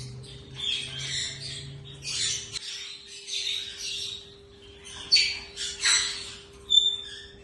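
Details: Pair of yellow ringneck parakeets, healthy and active, giving harsh high squawks in bursts, with a steady low hum in the background.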